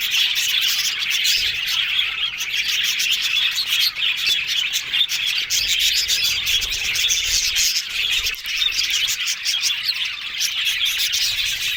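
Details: Long stretch of happy yellow budgie talk, a busy overlapping flock warble of chirps, trills and squeaks, steady throughout with light background clicks.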